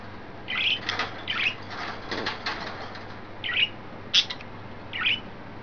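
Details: Playful pet budgerigars (three: green, yellow, white) chirping excitedly, recorded 29 May 2012: warbling chirps in little clusters, with a brief pause before a few more quick, bright notes.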